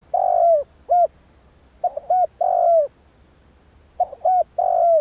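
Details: Spotted dove calling, used to excite a decoy bird: three low, hollow coo phrases, each a couple of short notes then a longer falling coo, spaced about two seconds apart, over a steady high pulsing insect buzz.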